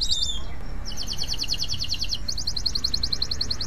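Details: Male canary in breeding condition singing: fast rattling trills of high bright notes, a few sliding whistles, then renewed rapid repeated syllables, with low background rumble.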